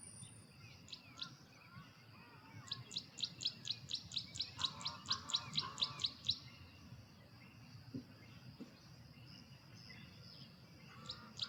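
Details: Carolina wren male singing from a perch, his territorial song at full volume: a dozen loud, evenly spaced ringing phrases over about four seconds, with fainter chirps before and after.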